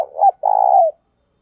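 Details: Single cooing phrase from a decoy spotted dove used to encourage another bird to coo: a short low note followed by a long, even, gently falling coo, in a quiet setting.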